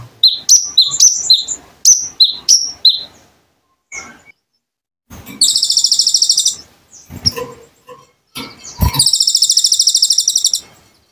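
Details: Konin bird song used as a training recording for other birds: bursts of sharp, downward-slurred high chirps, then two long, loud, rapid buzzy trills separated by quieter scattered notes and pauses.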